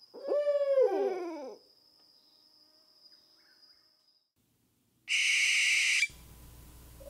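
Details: Owl calling at night, one hoarse, quavering call with a wavering, falling pitch lasting about a second and a half; a steady electronic whine follows, then a short burst of loud noise.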